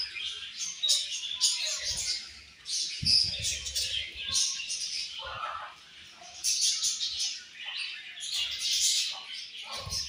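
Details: Budgerigar colony in the morning at feeding time, many birds chattering at once in high, scratchy chirps that swell and fade in bursts, with occasional low thuds and rustling.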